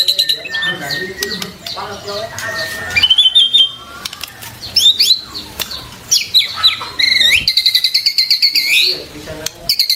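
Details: White-rumped shama song meant for training captive birds: a rich, changing run of whistled phrases, rising and falling slurs and quick stuttered notes, ending in a fast, buzzy series of repeated notes.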